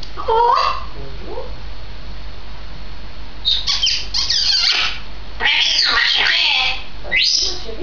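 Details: Two-year-old female grey parrot recorded on 16 May 2010. A short harmonic whistle opens, then harsh broadband squawks and screechy calls come in bursts. A final upward sweep closes, and the calls stand out against a steady low hum.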